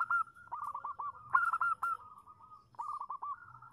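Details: Female zebra dove calling to a male, used as a lure to draw a reply: stuttering runs of short, hooked, downward-bending cooing notes at a mid pitch, joined by a held tone, in two phrases separated by a brief pause.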